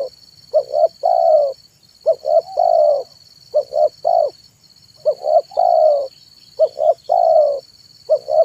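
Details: Zebra dove calling in the afternoon as a lure for wild and trained doves: steady series of phrases, each two clipped coos then a longer vibrating coo, roughly every 1.5 seconds, over a persistent electronic whine.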